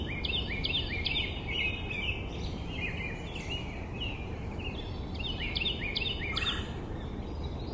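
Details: Male Carolina wren song recorded 18 June 2024 in south meadows: series of loud, rolling, repeated two-note phrases, high then lower slurred, in several bursts, against constant low-frequency rumble and hiss.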